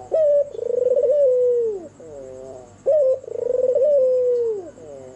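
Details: Sweet night-time coos of a red-eyed albino white turtle dove: two phrases, each a short clear note and a pulsing drawn-out coo ending in a downward slide, with gentle wavering notes between and a faint hum.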